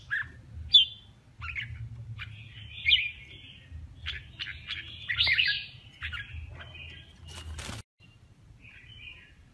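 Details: Contest-singing male red-whiskered bulbul, 'kè' song: spaced chirps and short warbled phrases, a scratchy fuller phrase midway, a sharp click-like burst near the end, then quieter notes over low hum.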